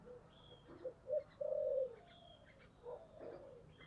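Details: Spotted dove, 'thổ' voice style, calling to push for combat. Two quick notes and a long, loud coo are set against a noisy background, with fainter coos later.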